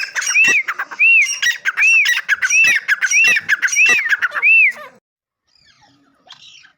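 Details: Loud partridge calling: seven ringing, arched whistled notes in quick succession, each backed by harsh clicking bursts, ending abruptly and followed by near silence with a faint distant note.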